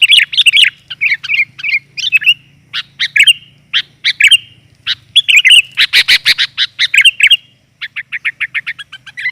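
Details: Female sooty-headed bulbul call for luring males: dense chattering and slurred bubbly notes, a loud rapid burst midway, ending in an even series of short chirps over a faint low hum.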